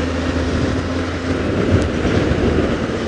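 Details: Loud steady engine rumble with low droning tones and a short hiss midway; no animal sound is heard.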